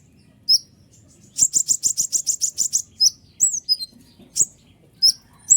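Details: Kolibri ninja sunbird singing to provoke other birds. A fast, evenly spaced trill of about fifteen high chips, followed by shrill falling squeaks.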